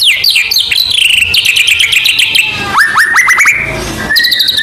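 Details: White-rumped shama from Medan, Indonesia, singing very actively as a lure to provoke other birds: a loud, rapid run of varied whistled notes, slurred upward sweeps and sharp chips, densely packed with barely a pause.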